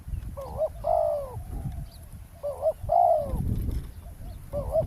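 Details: Spotted doves calling back and forth during roadside decoy trapping: a wavering, rolling coo leads into a longer arched hoot, repeated a few times over low rumbling background.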